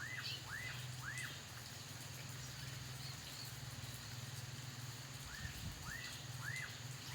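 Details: Black-capped donacobius at Tambopata giving arched, up-and-down whistled notes in short groups of two or three, separated by a pause, against a constant low mechanical hum and faint background chirps.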